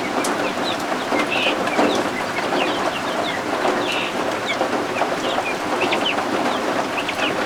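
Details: Just-hatched guinea fowl keets exploring under a heat lamp indoors during a rainstorm; repeated bright, high chirps and quick peeps from several chicks scatter across the recording, set against a continuous wash of rain.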